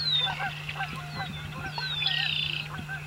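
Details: Noisy, sociable American coots on a marsh give short honking clucks. Thin descending whistles from other birds overlap them, a buzzy trill follows near the end, and a low hum runs underneath.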